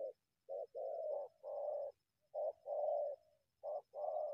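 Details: Wild spotted dove coming out of bushes to attack a decoy bird; deep mellow coos, each a short note followed by a longer purring note, about four phrases in quick succession over quiet background.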